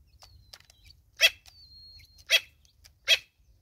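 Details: Natal spurfowl mother with her chicks in South Africa: three sharp, harsh clucks about a second apart, mixed with thin, high, slightly falling whistled peeps from the chicks.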